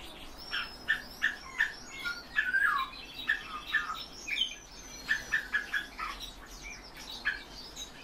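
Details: Captive European bee-eaters calling in a steady series of short liquid trilled notes, several birds overlapping, roughly two to three calls each second.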